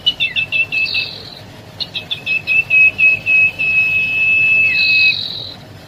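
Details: Juvenile common iora: a run of short, clipped high notes, then a long, level, piercing whistle sustained for about three seconds that ends with a slurred drop.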